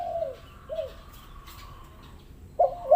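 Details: Spotted dove coos used as a lure to set reluctant doves calling: two soft arched coos, a long faint level tone in a hissy background, then two louder coos at the end.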